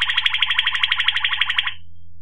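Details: Waterslager Malinois canary in 2018 delivering a fast, rich rolling trill of about twenty beats, bright and metallic, ending abruptly, over a faint low hum.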